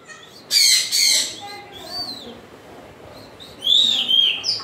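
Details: An African grey parrot lets out two harsh screeches, then a soft arched whistle, and ends with a burst of high squeaky, rasping notes.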